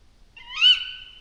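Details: Night bird of prey crying after dark near a shelter in a mountain forest: one drawn-out whistled screech, swelling then trailing off over about a second, against near silence.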